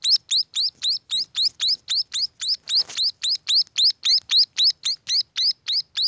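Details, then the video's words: Chicks of munia calling in a regular, quick series of shrill upswept chirps, nearly four a second, with a faint brushing noise near the middle. "suara anakan burung emprit"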